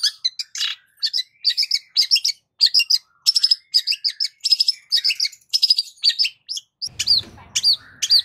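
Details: Long-tailed shrike singing a lush, varied lure song meant as master material for songbirds: a continuous chatter of quick buzzy trills and sharp chirps, closing with clear rising whistled notes over a brief low rumble.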